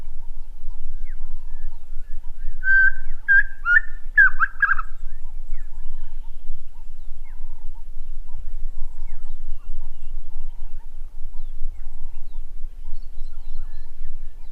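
A francolin gives a mournful series of hollow notes that climb and then fall away.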